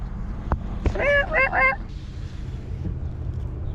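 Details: A Greater Rhea at a drive-through safari park near Orlando gives three quick nasal, honking notes with a wavering pitch as it aggressively approaches a car and pokes its head in the window, over a low engine rumble and a few clicks.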